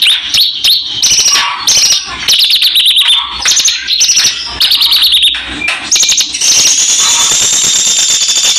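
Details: A Javan bush lark sings vigorously in a loud, varied, overdriven stream of high chirps, short trills and sustained whistled tones. The phrases are broken by brief pauses, ending in a long held high note.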